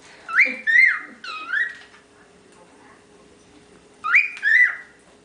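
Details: Young pet cockatiel among ten kept together, whistling: two-part whistled phrases, each a rising then falling slurred note, a pair at the start and another pair after a pause near four seconds; quiet room with a faint steady hum.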